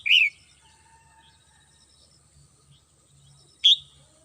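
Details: Red-whiskered bulbul kept at home, singing in the morning: two short, loud, bright chirped notes, one at the start and another about three and a half seconds later, with near silence and a faint low hum between.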